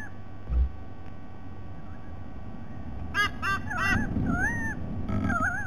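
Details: White-bellied sea eagle, dated 07 12 2020: after a quiet start, a burst of harsh stacked honks around the third second gives way to drawn-out wavering nasal calls, all over a constant low rumbling background.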